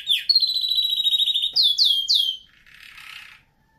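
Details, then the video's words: Canary singing a training song for teaching canaries: a long, fast, even trill held for about a second, then three loud downslurred whistled notes, ending in a soft buzzy rattle. "canary singing video | the best canary training song"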